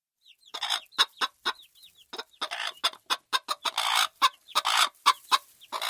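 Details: Farm chickens in ambience: a flock clucking in dense, rapid broadband bursts, about four per second, overlaid with thin curved high chirps throughout.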